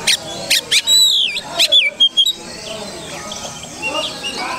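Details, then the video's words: Oriental magpie-robin singing as a lure recording, loud clear whistled notes around high pitch, some sliding and warbled, in quick irregular bursts over a constant hiss of background noise. "Pancingan Kacer"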